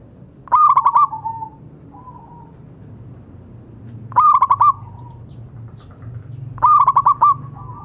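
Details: Zebra dove of local stock singing to stimulate quiet doves: three rapid pulsed coo phrases, each stuttering then trailing into a short falling hum, roughly three seconds apart.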